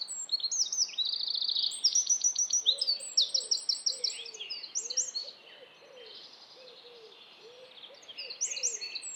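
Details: Eurasian wren singing in Estonia: a loud, rapid, high-pitched outpouring of trills and sharp notes in a 3-second burst, then quieter song and a softer low warbling from another bird in the background.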